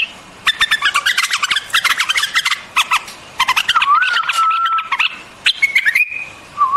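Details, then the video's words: Rapid, bubbling chatter from a white-eared bulbul, then a sliding whistled note and a few clear, level whistles closing the sequence. "Singing of White-Eared BULBUL, The beautiful sound of White-eared bulbul, صوت البلبل أبيض الأذنين"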